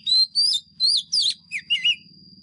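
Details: Fighting song of a decoy Oriental magpie-robin for voice training: six loud, separate whistled notes, some rising and some falling, with a low droning hum and a steady high whine behind.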